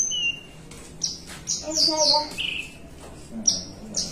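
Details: Javan bushlark kept in a cage, delivering 'melung panjang' song while sitting relaxed: high, sliding whistled notes, some dropping in pitch, broken by short pauses, with faint human speech underneath.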